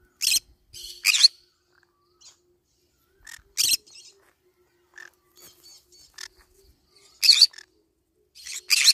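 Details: Green-cheeked conure calling while eating banana leaves: short, harsh, buzzy screeches come in small clusters, with a pair near the start and more bursts spaced irregularly through the quiet gaps.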